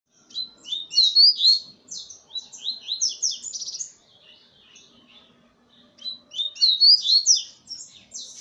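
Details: Double-collared seedeater singing while perched on a hand: a fast, high, twittering warble of jumbled short notes, a quieter pause in the middle, then the bright phrase returns.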